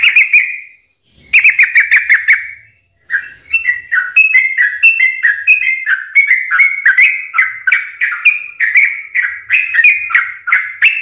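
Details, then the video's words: Sooty-headed bulbul singing as a lure to start lazy or stressed birds singing. Two short whistled bursts are followed by a long, evenly paced chain of bright, bubbly notes, roughly two to three each second. "pancingan suara burung trucukan gacor"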